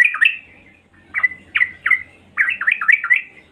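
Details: Female yellow-vented bulbul calling to attract males, giving short chirpy notes with quick up-and-down inflections, scattered singly at first and then run together in a rapid burst; faint low hum in the background.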